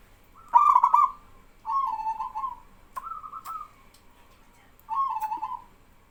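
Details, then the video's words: Vigorous song of a local male zebra dove drawing responses from trainee doves; four trilled cooing phrases, the first opening with a sharp stutter, about a second apart, with faint clicks. "BURUNG PERKUTUT LOKAL JANTAN GACOR BIKIN PERKUTUT BAHAN IKUTAN BERSUARA"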